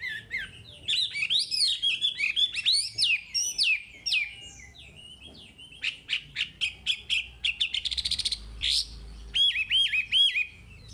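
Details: Long, varied Chinese hwamei song used to train caged birds: loud looping whistles, bursts of clipped staccato notes, a fast rattle-like series, then swooping repeated whistles.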